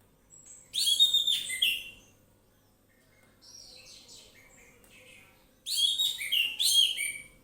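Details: Orange-headed thrush in loose 'ngeplong' song: a loud, bright warbled phrase, a softer scratchy twittering passage, then another strong varied phrase of rising and falling whistles.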